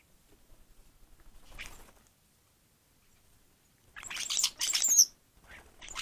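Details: Sparrows, among them tree sparrows, gathered in large numbers at a feeding station in a record breeding year; a soft chirp early on, then a burst of loud, rapid overlapping chirping for about a second, followed by a few quieter chirps.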